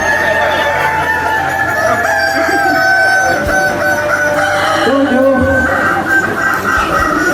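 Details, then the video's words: Kukuak Balenggek roosters at a crowing contest in Nagari Batu Bajanjang, Tigo Lurah, several birds crowing at once, long drawn tonal crows with stepped, wavering pitch, overlapping in a busy mix. "KONTES AYAM KUKUAK BALENGGEK"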